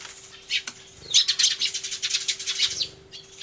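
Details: Agitated sparrows crying hard, captured 24 March 2013 on an Everio near a turtledove: a couple of single clicks, then a continuous blur of shrill overlapping chirps lasting about two seconds, over a low steady hum.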